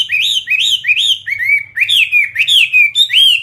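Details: Clear, loud whistled song of a captive fighting Chinese hwamei: a series of looping slurred phrases, about two per second, each swooping up then down, some richer and buzzier.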